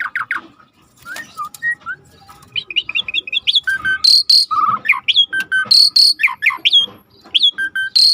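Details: Rare starling over river ambience: dense, varied song of rapid chirps, whistled slurs, buzzy trills and high metallic notes, delivered almost continuously at a fast irregular rhythm, with insect-like ticking and background noise.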